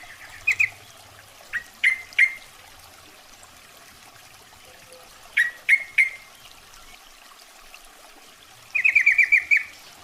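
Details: Female Yellow-vented Bulbul calling a male, recorded as a lure: sharp upslurred chips in loose groups of two or three, closing with a fast bubbly chatter of about eight notes, over background hiss.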